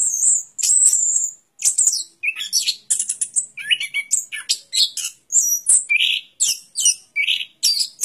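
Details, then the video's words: A rapid, varied orange-headed thrush song mixing piercing high notes with lower slurred whistles, phrases following each other closely, in a clean background. "Suara Burung Anis Kembang"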